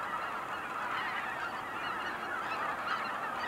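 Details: Cackling geese at Kejonuma, Japan: a dense, unbroken chorus of overlapping high, nasal yelping honks from many birds, steady throughout without pauses.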